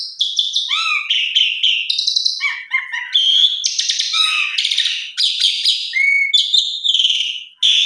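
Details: Varied Asian pied starling song, a lure meant to get starlings singing: rapid clicks and chirps, curling whistled notes, then loud, harsh rasping bursts and a clear high whistle, nearly unbroken.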